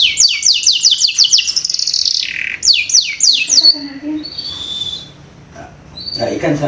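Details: Canary lure song aimed at young canaries: a fast run of high, downward-slurred whistles repeated several per second, a brief pause, a second run, then quiet with a few faint thin whistles.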